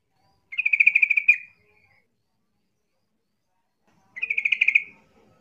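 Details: Two short, bubbly pulsed bursts from a yellow-vented bulbul, used as a lure mocking opponents so other bulbuls reply, separated by roughly three seconds of quiet.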